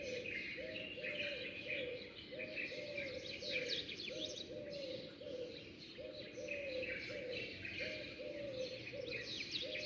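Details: Sparrows chirping at dawn. A thick chorus of high twitters runs throughout, while a lower, soft cooing bird repeats its rhythmic hoo notes underneath.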